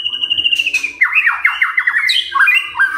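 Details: Morning lure song of a white-rumped shama aimed at provoking other birds: a held whistle followed by a rapid series of descending sweeping notes and high slurred phrases, a low hum underneath.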